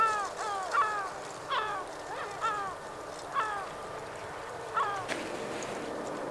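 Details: Yellow-legged gulls contesting a fish: irregular, short, descending squawks, some doubled, with a sharp knock near the end and a faint low hum.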